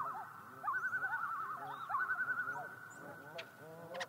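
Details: Common loons at night giving fast, wavering tremolo calls, several birds overlapping in a rapid warbling chorus, with quieter laughing echoes underneath.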